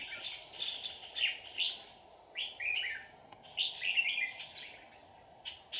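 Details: Red-whiskered bulbul used as a decoy during trapping of wild birds, recorded 2 May 2019: short, bright, warbled whistled phrases in bursts every second or so, over a steady high insect-like hum and faint background noise.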